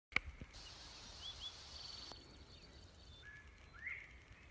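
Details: Northern Bobwhite calling on a farm in north-central Missouri: a faint whistled call, a short low note then a sharply rising slur, over a steady hiss of wind or insects.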